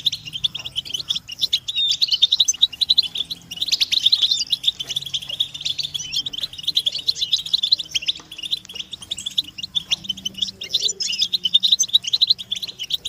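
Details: A chorus of European goldfinches giving mating and readiness calls to spur captive males to sing: unbroken high, jangling twittering with rapid trills and scattered sharp chirps.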